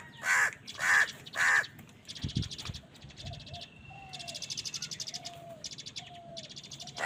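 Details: Crows fighting for food give three loud, hoarse caws evenly spaced about a third of a second apart. Then comes a long stretch of rapid buzzy chatter and soft whistled notes from other birds.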